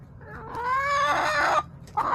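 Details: Backyard chicken flock filmed by a camera on March 30, 2024: a loud, harmonic rooster-like crow rises and holds for about a second, then breaks off, with another hen squawk starting at the end over low background hum.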